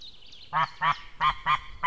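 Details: White-tailed eagles at changeover, male leaving and female arriving, perhaps reacting to a stranger in the sky, 6 May 2016 at 18:31. Loud, harsh, honking calls repeat about every quarter second, five in a row.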